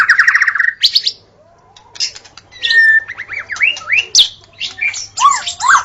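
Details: A white-rumped shama sings energetically in the forest. It opens with a fast, even trill, pauses briefly, then moves into looping whistled slurs and sharp high notes. Varied phrases close out the passage.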